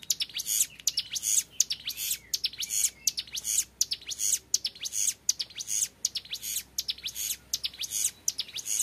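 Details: Young hill prinia (ciblek gunung) singing in the long 'ngebren' style: rapid bursts of high, buzzy, sweeping notes, each burst roughly a fraction of a second, repeated densely and without pause across the recording.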